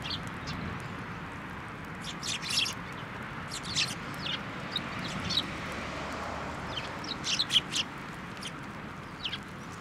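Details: Sparrows coming to a bench to be fed at a Tenmangu shrine, 14 November 2023; short, high, sharp chirps in loose bursts around two to three, four, five and seven seconds over a steady low rumble.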